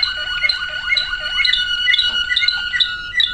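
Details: Waterslager canary song: repeated liquid, bubbling phrases with short whistled notes rolling at a quick, steady pace, rich and water-like, with a sustained tone running underneath throughout.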